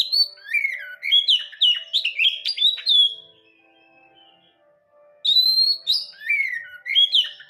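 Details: Oriental magpie-robin in captivity sings loud, varied phrases of slurred whistles and quick chips for about three seconds, pauses with a faint steady low tone in the background, then resumes with similar lively whistling.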